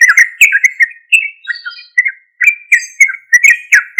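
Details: Sooty-headed bulbul song used as a lure to provoke other bulbuls into responding: loud, rapid bubbling phrases of short whistled notes, repeated in quick bursts, with a few thinner higher notes between them, and no other sounds.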